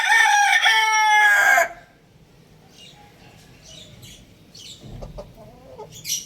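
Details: Young rooster kept at home, loud harmonic crow for about one and a half seconds with a falling, strained tone, then near silence with faint high chirps from small birds in the background.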